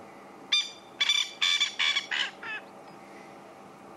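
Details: A male francolin in Sabi Sand at sunset, seen calling, gives a loud, harsh series of grating, rattling notes that fade toward the end; another male answers from a bit further away.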